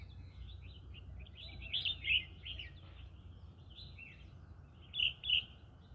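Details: Green-cheeked conure in a rice field calling with a run of scratchy chirps, then two loud grating notes halfway and another loud pair near the end, over low steady background noise.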